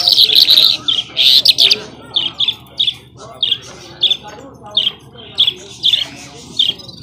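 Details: Skylark (Afghani jhal) singing: a loud jumbled burst of high twitters at first, then short bright chirps repeated about every half second, over a quiet low hum.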